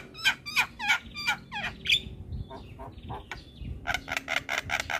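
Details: Javan myna song meant to rile up other mynas: harsh squawky notes in a quick series, a pause filled by thin whistled tones, then a burst of loud rasping chatter.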